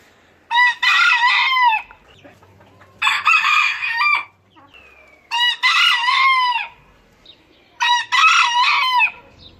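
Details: Four rooster crows spaced roughly every two and a half seconds, each loud and harsh with a wavering tail, from different Turkish breeds, over a quiet background hum.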